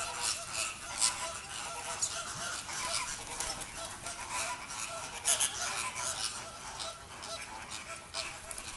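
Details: Inca terns being fed in a Dutch bird park, Vogelpark Avifauna; many birds give rapid, overlapping nasal squawks and cackles without pause, forming a noisy, busy chorus.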